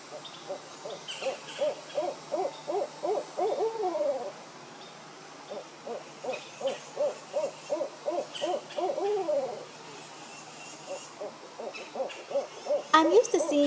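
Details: A pair of Barred Owls perched high in park trees in Florida one morning trade rapid, excited hooting series, some ending in drawn-out descending wails; crows calling nonstop nearby add a harsh call near the end.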